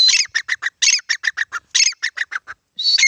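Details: Grey francolin, possibly in Pakistan, giving loud, harsh, repeated notes in quick rhythmic phrases, each burst starting with a rasping squeal and running into clipped, even-paced calls.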